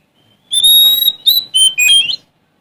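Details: Oriental magpie-robin from Sumatra, singing to challenge rivals. A short burst of four loud, pure whistles, the first long and steady and the later ones shorter and rising at the end.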